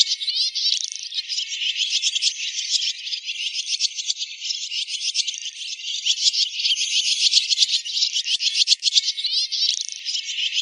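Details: Roosting calls of swiftlets, played as a lure: an unbroken wash of shrill chirping and buzzy trills, many rapid pulses each second, steady in loudness throughout.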